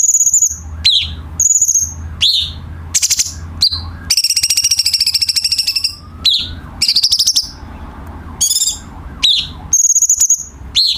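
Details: Brown-cheeked bulbul song meant for tutoring caged songbirds. High whistles and downslurs are mixed with rattling buzzy bursts, and one long rapid trill runs for about two seconds. A faint low hum sits in the background.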